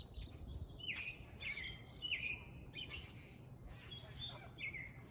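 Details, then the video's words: Male grackles displaying and calling: a run of shrill, squeaky, upslurred notes in quick succession, some harsh and scratchy, over steady low rumbling background noise. "Grackle males exhibiting and calling their shrill notes!"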